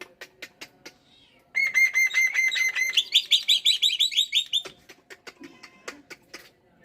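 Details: In the morning a pet black-winged myna bursts from soft clicking into loud level whistled pulses, then a rapid run of higher, bright, twisting notes, dropping back to quiet ticks and chips.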